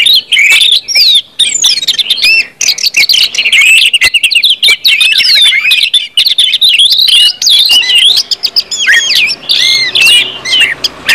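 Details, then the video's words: Orange-headed thrush singing in the long, continuous ngeplong style, used as a lure to get other thrushes singing quickly: a dense, unbroken stream of varied high whistled slurs and sharp clicks, with overlapping phrases and barely any pause. "KUMPULAN ANIS MERAH NGEPLONG BIKIN CEPAT BUNYI DAN GACOR ANIS MERAH"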